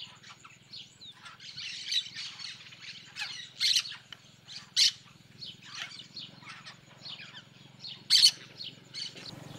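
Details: Yellow-chevroned parakeets in the sertão of Bahia, Brazil, calling loudly: scattered shrill, grating squawks, some very piercing single screeches standing out among softer chatter, over a steady low hum.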